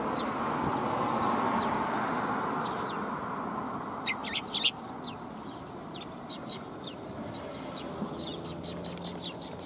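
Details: Sparrows greeting someone on the way out, recorded 25 March 2021 in Japan; bright short chirps come in scattered bursts, clustered after four seconds, over a steady low rumble of traffic-like background noise.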